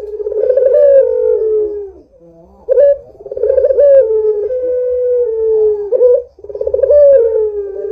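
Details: A vocal Barbary dove offered as a lure for other doves gives long, drawn-out coos. Each begins with a short rising purr and glides gently downward, with three phrases and short gaps between them.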